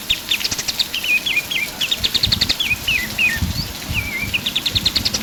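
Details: Energetic pied triller song used for training other cage birds: rapid ticking trills followed by a run of sharp falling whistles, then more rattling trill bursts, all high-pitched and bright.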